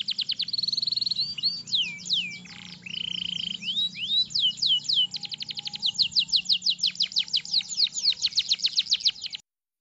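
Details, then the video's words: Canary singing a long rolling song meant to train young canaries: quick high trills, curved whistled slides, a buzzy low roll, then extended bursts of rapid repeated chirps ending abruptly. "Kenari gacor cuit cuit ngerol panjang untuk pancingan kenari paud belajar bunyi"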